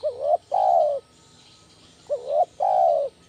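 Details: Lure call of a spotted dove in the 'kuk 1' style, meant to stimulate and train other doves: two quick phrases of a short wavering coo and then a drawn-out mellow coo, less than two seconds apart.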